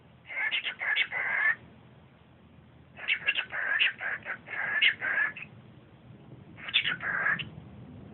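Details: Pet cockatiel (Nymphicus hollandicus) whistling at a Siamese cat: three bursts of quick, chattering whistled notes, each about a second or two long.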